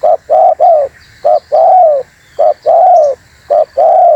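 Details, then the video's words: Spotted dove luring call to draw other birds in: four repeated phrases of a short clipped coo followed by a longer downward-sliding coo, loud and evenly spaced, with faint background noise. "MP3 Suara TERKUKUR GACOR ‼️semua burung pada ngumpul"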